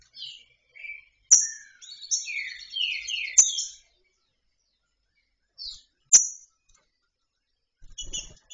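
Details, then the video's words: Female green-winged saltator, free rather than caged, calling to solicit mating; scattered high chirps and a burst of quick down-slurred notes, with sharp clicks and long silent gaps. "fêmea de trinca ferro solta pedindo gala"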